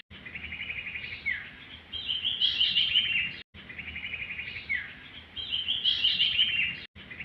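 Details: Sirtu singing a fast buzzy trill that slides down, followed by a louder, higher run of sharp pulsed notes. The pattern repeats twice with clean breaks between and light background noise.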